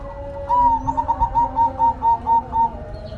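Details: Zebra dove (perkutut) gives a steady run of about nine mellow, pulsing coos, evenly spaced and slightly falling at the end, with a faint low drone behind.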